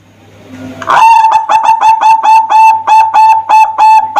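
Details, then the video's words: Zebra dove in lively song, used as a lure to draw other zebra doves: a sharp opening note, then a fast run of clear, level, resonant coos pulsing about three times a second without pause. "Panggilan Perkutut Gacor Suara Merdu Top buat Pancingan perkutut Bahan"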